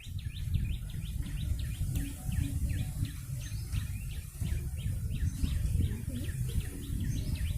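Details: Yellow-bellied prinia calling vigorously to lure birds: a steady series of thin, short chirps, several per second, partly masked by hissing background noise and a low rumble.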